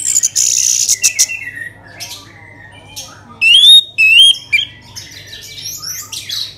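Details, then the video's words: Orange-headed thrush song used to set other birds singing: high harsh notes first, then a pair of loud, clear whistled phrases that rise and waver, trailing into soft twitters over a low hum. "Pancingan ANIS MERAH agar cepat Berkicau Gacor"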